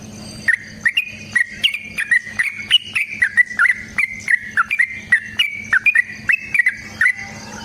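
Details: Long rapid fighting song of a sooty-headed bulbul, played to draw replies from other bulbuls; a steady stream of short, bright, slurred whistles, around three per second, over a quiet hum.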